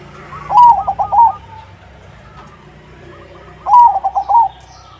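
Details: Crossing-type zebra dove singing as a lure for other doves: two loud phrases about three seconds apart, each a drawn note followed by quick rolling coos, over a quiet background.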